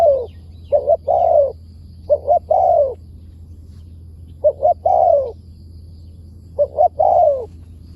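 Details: Spotted dove in the wild responding to a decoy, called a good voice with wild-style phrasing. Four separate phrases, each a few clipped short coos leading into a drawn-out descending note, with a faint background hum.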